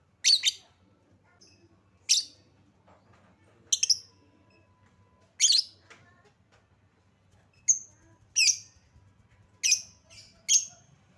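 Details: Lovebird sound played as a lure to get other lovebirds singing: loud, shrill chirps, some doubled, spaced about one to two seconds apart against a quiet background.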